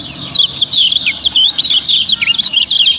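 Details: Kecial kuning, the yellow-bellied prinia of Lombok, in busy lure song meant to make other birds sing: a continuous stream of sharp, high twittering notes with quick rising and falling slurs.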